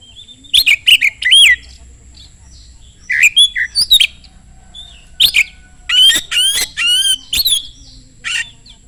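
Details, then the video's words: Oriental magpie-robin singing fast and loud, used as a lure to provoke other magpie-robins to answer; bursts of sharp whistled notes and harsh buzzy phrases in clusters separated by short pauses. "kacer gacor sangat cepat memancing kacer nyaut ikut gacor dengan suara tembus"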